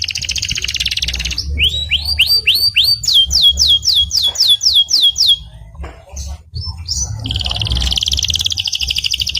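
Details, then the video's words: A canary sings in a varied phrase. A fast, buzzy trill opens it, then a run of rising whistled notes repeated about three times a second, then a pause and another rapid trill. A low background rumble is present. "CANARY SINGING"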